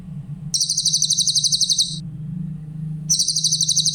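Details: Song of the grey-headed canary-flycatcher (cililin) for training songbirds, clear and bright: a high, rapid trill of about one and a half seconds, a brief pause, then the same piercing pulsed run starting again, over a low hum.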